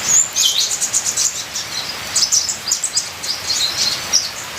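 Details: Ninja sunbird in full varied song, used as a training recording: rapid high thin twittering and tinkling notes in quick bursts, with soft patter like rain in the background.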